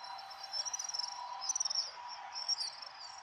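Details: House swifts flying as a flock in the evening over Surugadai, central Tokyo, in mid-December 2023, before going to roost. Dense, high, shrill chittering twitters come in quick overlapping bursts above a steady city hum.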